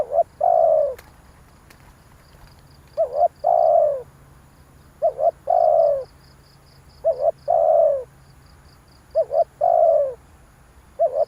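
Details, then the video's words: Spotted dove lure call to stir wild doves, about five phrases roughly every two seconds. Each is a short quavering double note and a long, low, falling coo, with a faint, steady high chirping and a couple of clicks. "tiếng chim cu gáy kích bổi hay"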